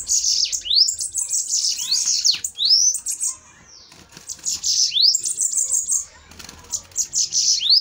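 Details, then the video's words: Bananaquits fighting in a duel: rapid shrill trills with swooping notes, a pause near the middle, then renewed high sizzling phrases. "DUELO DE SIBITES FOGOSOS!"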